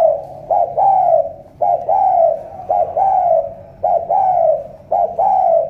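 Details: Spotted dove, Cà Mau, Vietnam, repeating its loud thổ cọp coo: five evenly spaced two-note phrases, a short lead note and a rounded, falling main coo, about one per second.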